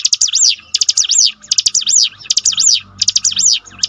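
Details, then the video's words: Bar-winged prinia (ciblek gunung) song used as a training sound to rebuild a bird's fighting spirit: rapid bursts of high, zigzagging whistled notes in quick up-and-down sweeps, phrases repeating about every second, with short clicky chips between. "bikin ciblek gunung Ngetop || down mental bangkitkan lagi"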